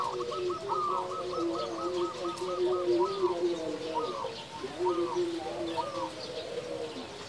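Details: Loud local zebra dove used as a lure and model singer; a rapid run of clipped, evenly spaced coo notes followed by spaced rising-falling coos, with other low cooing behind.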